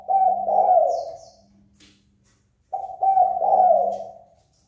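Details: Spotted dove call used to stir up a fight: two low cooing phrases, each a quick pair of notes followed by a longer wavering coo, repeated after a short pause, with faint chirps above.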